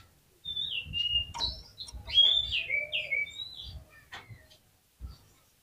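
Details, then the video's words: Oriental magpie-robin singing softly, played to coax other magpie-robins into song: sweet slurred whistles gliding down in pitch, mixed with short chirps, over faint low thumping. "PANCINGAN KACER GACOR INI"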